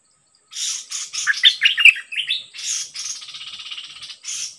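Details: Decoy bird singing against a very aggressive wild-caught bird: dense, rapid bursts of chattering, slurred notes, then a buzzy rattling trill and a final chirpy phrase, with a steady high whine throughout.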